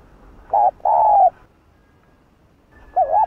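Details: A spotted dove of the Hạp Bổi style coos to stir up other doves: a short note and a long descending coo, then after a pause a wavering rising note begins another phrase.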